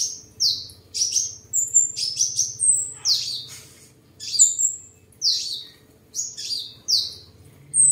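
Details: Tame seven-colour sunbird, Vietnam, 23 July 2022, singing while displaying and sparring: a busy string of shrill downslurred notes about twice a second, with a faint low rumble and hum in the background.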